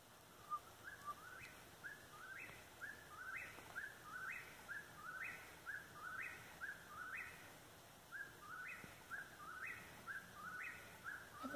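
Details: Eastern whip-poor-will calling nearby: a three-part whistled phrase with a rising, upslurred ending, repeated about once a second for the whole stretch over a faint steady outdoor hiss.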